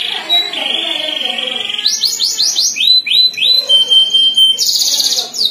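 A domestic canary sings high and bright: a held whistle, then fast rolling trills of quick down-slurred notes, about four a second.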